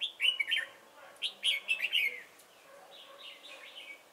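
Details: Decoy red-whiskered bulbul at a trapping site at Chùa Hương, Vietnam, 28 November 2017, gives rapid liquid warbling phrases of fluty, bouncing notes, then a softer, more distant run of similar notes.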